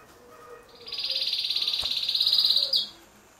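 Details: Canary male song meant to excite hens for breeding: a sustained high rolling trill of quick even pulses building in loudness for about two seconds, ending in a sharp upward flick.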